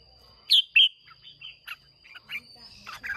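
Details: Contest-singing red-whiskered bulbul, caged, of wild Hoà Bình stock in Vietnam: two loud clear whistled notes followed by a rapid chain of softer warbling chirps.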